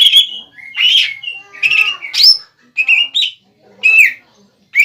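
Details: Greater green leafbird, caged, singing to draw an answer from a rival: rich warbled phrases mixing buzzy chatter and clear slurred whistles, broken by brief pauses, with rising whistled notes near the end.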